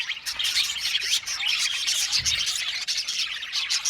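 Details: Dense budgie chatter from an aviary colony, loud and continuous, mixing whistled squeaks, buzzy warbles and quick clicking chirps with no gaps.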